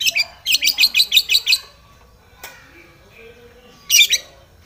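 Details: Long-tailed shrike singing aggressively to challenge a rival: a rapid burst of eight loud chirps, a quiet gap, then one harsh grating outburst.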